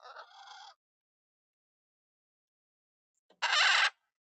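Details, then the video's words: Macaws playing and bonding in an aviary: a raspy, nasal squawk, nearly three seconds of silence, then a louder, harsh, broad screech lasting about half a second. "Macaws Playing & Bonding"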